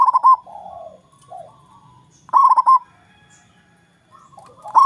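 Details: Zebra dove singing in a loud, deep voice to draw rivals into answering: bursts of three to four quick, ringing coo notes, each followed by a soft, lower purring trill, repeated about every two seconds.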